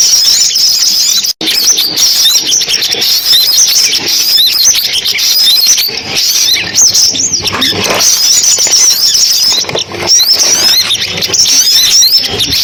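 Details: Sunbird calls used on a loudspeaker to lure birds into a trap: fast, high-pitched twitters and squeaky chirps pour out almost without a break, a brief cut early on, then steady shrill chatter.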